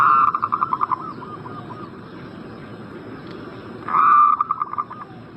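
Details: Zebra dove call, used as a lure to prompt a bird in breeding condition to answer: a loud, fast series of mellow, stuttering coos opens the recording, and a second similar burst follows about three seconds later over a steady background hiss.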